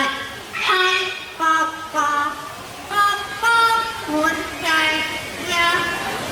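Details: At a Jurong Bird Park show, a yellow-naped Amazon known for singing songs in different languages sings a mimicked song: tuneful, voice-like harmonic phrases rising and falling about twice a second, with crowd murmur behind.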